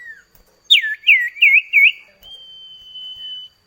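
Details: Common iora song used as a duet lure to get kept birds singing: four loud, clear U-shaped whistled notes in quick succession, then a long, thin, steady high whistle held for over a second.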